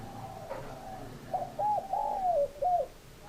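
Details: A spotted dove gives a single phrase of three or four clipped coos with a drawn-out, falling middle note, against faint background noise.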